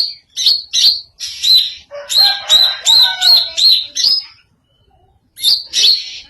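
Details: Greater green leafbird in an odd song: loud, rapid, bright chirped notes with a rough buzzy edge, delivered in a dense string, then a short silence before two final notes.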